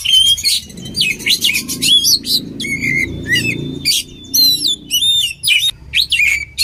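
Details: Oriental magpie-robin delivering a dense, varied combination song for training birds: quick sequences of clear whistles, buzzy chatters and repeated short notes fill nearly every second, with faint low background hum.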